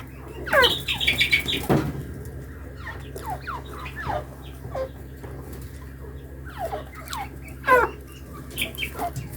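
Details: Tame partridges (teetar) give short, harsh, chirping notes that rise and fall, some in quick clusters, with a louder burst near the start and a steady low hum beneath.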